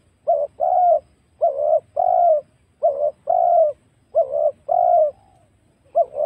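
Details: Wild spotted dove recorded as a trapping lure, calling faster here. Paired notes, one short hollow coo and then a longer one, repeat roughly every second, about five pairs in a steady run.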